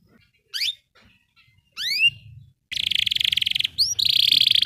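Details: Canary song used as training audio for rarely singing canaries: a few isolated upswept whistle notes, then fast buzzy high trills over a faint low hum.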